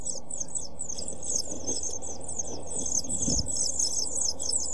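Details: Seven-day-old pied flycatcher nestlings in a nest box, late June, nest box camera recording; many high-pitched, hissing-thin cheeps run together in an unbroken begging chorus, with soft bumps and shuffling of the chicks moving.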